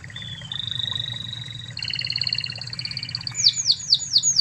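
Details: Spanish Timbrado canary, original from Spain, recorded to teach other canaries: sustained whistled trills stepping upward in pitch, finished by a series of loud descending swept notes about four per second.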